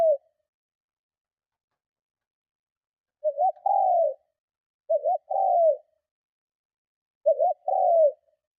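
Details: Strong provoking coo of a spotted dove, used to lure rival doves. Three low phrases are spaced by long silences. Each phrase is a stuttered two-part note, then a drawn-out coo sliding downward.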